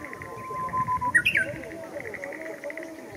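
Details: Japanese bush warbler in Showa Kinen Park, 10 April 2021: a drawn-out low whistle followed by a quick rising-then-falling flourish, over distant voices and birds chirping.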